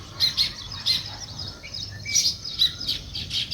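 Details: Natural morning sparrow chirping, a pattern of short, sharp high chirps coming in quick clusters about every half second, with a few lower sliding notes beneath.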